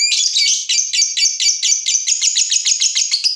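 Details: Fighter lovebird, provoked on seeing a rival, gives a fast shrill chatter of high, harsh notes, about two per second, each buzzing with rapid trills, continuous throughout.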